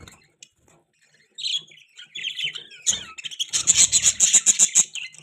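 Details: Pet budgies start almost silent, then build into scratchy warbling chirps and finish with a fast run of evenly repeated bright ticking notes.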